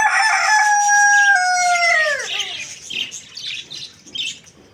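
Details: Rooster crowing in the morning, a loud harmonic-rich crow held steady then dropping sharply at the end, followed by softer scattered chirps and clucks from other birds.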